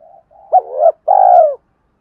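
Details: Spotted dove lure call: quiet lead-in coos, then an abrupt rising hoot, a wavering note and a long, full, rolling coo.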